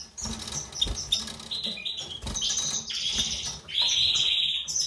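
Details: European goldfinch in a breeding setup with a white-throated mutation male and a classic female; wing flapping and scuffling first, then bright twittering phrases that build into a sustained high trill in the final second.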